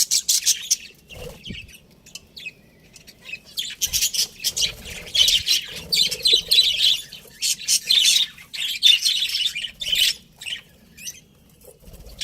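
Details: Breeding pair of pet budgerigars squawking and chirping in repeated harsh, high bursts, roughly one a second, separated by short silences.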